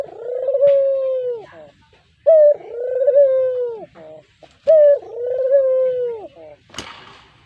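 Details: Pet brown puter dove calling as a lure: three loud cooing phrases, each a sharp rising note followed by a long, even, gently falling croon. A short clatter ends the recording.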